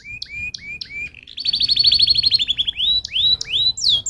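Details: Canary singing to prompt other canaries to sing: paired short rising notes repeated about twice a second, then a long fast rolling trill, then rising whistled swoops.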